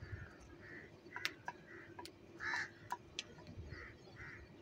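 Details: Repeated rough caws from crows fighting for food, roughly one per second, one louder and longer in the middle, with sharp ticking clicks scattered throughout.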